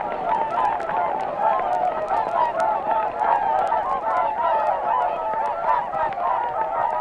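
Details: Whooper Swans recorded at Matsalu, USSR, in a 1979 field recording; a dense chorus of many mid-pitched, trumpeting honks overlapping without pause, steady and loud throughout, with scattered sharp clicks.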